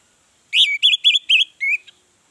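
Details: Orange-headed thrush lure song meant to make other birds start singing; five quick bright whistled phrases, each slurred up and down, delivered in a little over a second in a clean, quiet setting.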